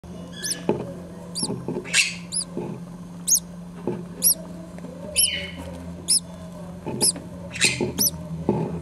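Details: Four green-cheeked conure chicks, the oldest five days old, in a nest where the mother still sits on an unhatched egg; thin, high chirps repeat irregularly, about one or two a second, over a steady low hum and soft rustling.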